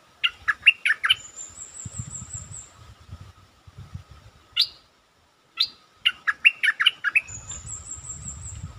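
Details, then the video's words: Caged stripe-throated bulbul singing as a lure: fast bubbly phrases of warbled notes, plus single sharp chips. A thin, high, buzzy trill runs in the background over a steady hum and low rumble. "Suara pikat merbah lekir gacor"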